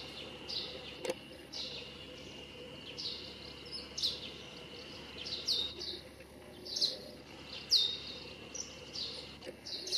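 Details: Russet sparrow singing from street trees in the Nikko Yumoto hot-spring town, Japan, with ordinary sparrows also present; short high chirps repeated roughly every second over a steady high hum and background noise.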